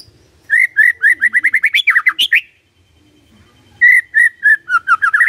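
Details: Shama (white-rumped) song used to coax a silent bird into answering: rapid runs of repeated clear whistled notes, one run ending in lower slurred notes, a short pause, then another repeated series rising at the end.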